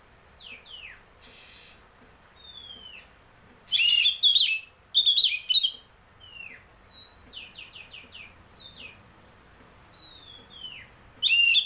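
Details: Lure recording of an Oriental magpie-robin (kacer) in ngeplong song: many soft falling whistles and quick downslurred notes, broken by several loud, dense, scratchy warbled bursts, and another burst at the end.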